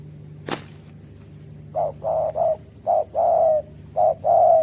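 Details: Spotted dove lure call for trapping: a sharp click, then after a pause a series of short mid-pitched coos with longer drawn-out notes, over a low steady hum.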